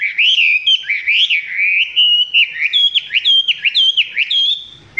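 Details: Chinese hwamei singing close by, not yet at full intensity: loud, rapid whistled phrases that swoop up and down in a tight, varied sequence.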